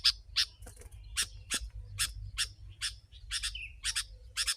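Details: Sooty-headed bulbul recorded as a lure for wild birds, giving harsh, chattering notes repeated roughly every half second over a low rumbling background.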